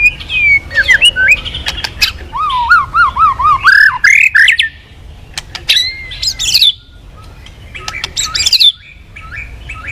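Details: White-rumped shama in full song as a lure to get other birds singing: rich varied phrases, a series of bouncy looping whistles, harsher squawky notes and sharp clicks.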